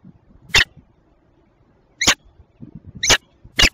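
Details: Belgian female peregrine falcon, Tilburg Westpoint, 27 June 2024 at 08:08; four separate raspy, broadband screeches at irregular gaps, with light tapping sounds underneath.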